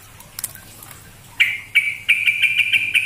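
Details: Sooty-headed bulbul from Grabag, a tame bird that bathes on its own, calling as a lure to make other bulbuls sing. After faint chips, a bright, slightly buzzy note repeats about every third of a second.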